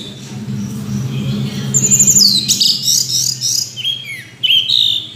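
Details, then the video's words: Orange-headed thrush song, a fast run of sweet sliding whistles and chattered notes descending in pitch, over a faint low hum. "Anis Merah Kicau Sampai Teler"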